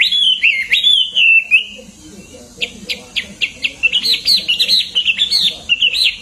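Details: Hwamei in full, lively song, used as a tutor recording for training songbirds; loud whistled phrases sliding and warbling, then a fast run of short rising and falling notes, with faint low background hum.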